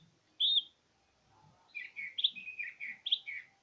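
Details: Greater green leafbird, known locally as cucak ijo, singing in gacor style: a lone high whistled note, a pause, then a quick run of slurred, rising and falling whistles over a faint low hum.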